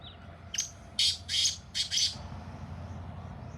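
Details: Black francolin calling in fields in Sindh: a short run of loud, harsh, grating notes in about four bursts within one second, then quiet background hum.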